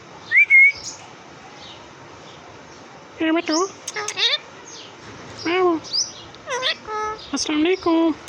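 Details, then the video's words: A pet parrot giving a whistle, then a run of nasal, harmonic meow-like and speech-like calls in quick bursts, in a quiet room. "#parrottalking #parrotvideo #parrotsound"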